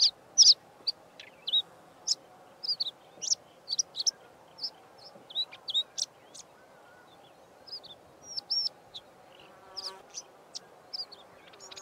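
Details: A Karoo scrub robin sings a quick, varied string of high chirps, whistles and squeaky snippets, with brief pauses between phrases, mixing in mimicry of a Diederik Cuckoo and a Pin-tailed Whydah.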